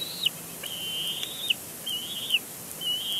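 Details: Bald eagle eaglet at a nest at Big Bear Lake, 27 April 2022, throwing a tantrum at its father after grabbing his foot, possibly expecting food. It gives four drawn-out, high, thin whistled squeals, each ending in a quick downward flick.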